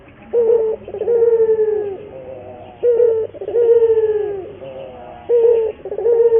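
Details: Training and lure song of a local puter dove: regular phrases of a short coo then a long burred, falling croo, three phrases about every two and a half seconds.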